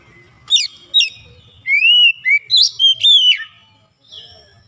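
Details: Song of an Oriental magpie-robin (kacer) being coaxed from sluggish singing: two sharp downward chips, then a smooth rising whistle and a series of quick, varied whistled notes, trailing off into a thin note.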